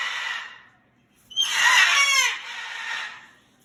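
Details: Pet parrot screaming indoors: a harsh raspy cry, a short pause, then a loud, drawn-out noisy screech lasting about a second and a half that fades away.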